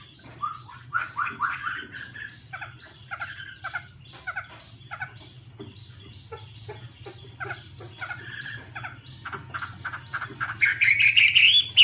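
A Chinese hwamei sings a loud, rich run of varied whistled and slurred phrases, rising to bright high notes at the end, over a steady low hum.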